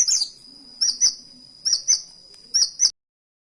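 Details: Kolibri wulung, a sunbird, chirping canary-like phrases; paired sharp high chirps with downslurred notes, repeated about once a second over a thin constant high tone.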